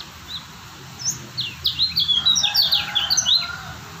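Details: Kecial kuning white-eye of Lombok, a stable singer, starts with a few scattered high chirps, then speeds into a two-second flurry of sharp descending twitters before trailing off.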